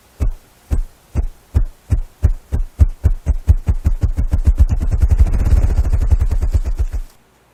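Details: Ruffed grouse drumming with its wings on a small log very close to a house in the morning: deep, muffled thumps, slow and spaced, then speeding into a rapid rolling whirr that stops abruptly after about seven seconds.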